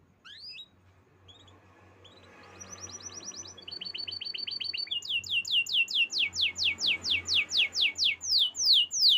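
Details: Canaries chirping in a forest-bird setting: quiet scattered chirps give way to rising trills and then a strong, steady series of sharp downward sweeps repeated over several seconds.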